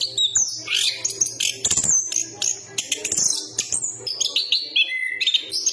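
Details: Chestnut-capped thrush giving dense warbling song, with rapid trills and whistles and a few sharp rattling notes, ending in clearer descending whistled phrases.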